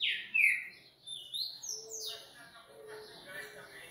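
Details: Coleiro (double-collared seedeater) from a breeding facility opening with loud clear downslurred whistles, then softer high twittering and faint low clicks fading out.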